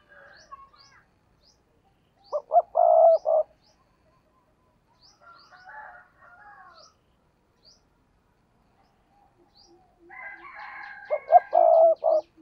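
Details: Spotted dove acting as a decoy for wild doves coos twice, about eight seconds apart. Each phrase is a pair of short notes and a long held coo, ending with a short note. Other small birds chirp and twitter between the phrases.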